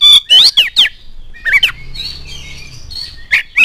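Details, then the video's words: Oriental magpie-robin singing as a lure for other birds: a few bright descending whistles, a pause with faint soft warbling and low hum, then two more sharp rising notes. "KACER ANDA LANGSUNG NYAUT NGOBRA IKUT GACOR DENGAN PANCINGAN KACER GACOR INI"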